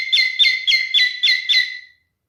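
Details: Male cockatiel showing mating behaviour, uttering six quick evenly spaced chirps with bright steady tones, ending abruptly after about two seconds.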